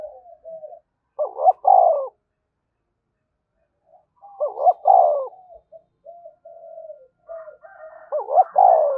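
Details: Spotted dove cooing in the vigorous Vietnamese 'thúc bổi' style: three two-part phrases, each a quick wavering double note followed by a fuller sustained coo, separated by soft, faint murmured notes. No other sounds.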